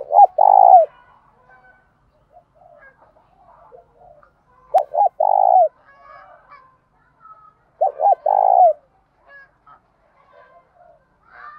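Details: Lure spotted dove cooing to call in wild doves: three phrases of low, mellow coos, each a quick pickup note followed by two or three rounded coos, with faint soft chatter between phrases.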